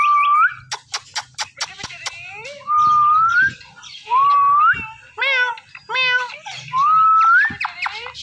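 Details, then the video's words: Mimicking Indian ringneck parrot: repeated clear whistles that rise at the end, alternating with clicks and short nasal speech-like syllables, indoors. "Indian Ringneck Parrot Natural Sounds"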